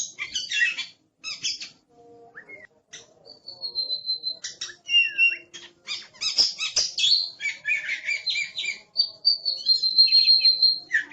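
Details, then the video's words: Fierce oriental magpie-robin singing noisily: bursts of harsh chattering notes broken by short pure whistles and slurred rising phrases, ending in a long steady high whistle over faint low background noise. "Suara Master Burung Kacer Galak"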